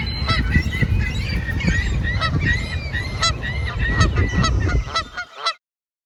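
Canada geese honk in a quick, uneven series of nasal, slightly upslurred notes, several a second, over a steady low rumble of wind or water.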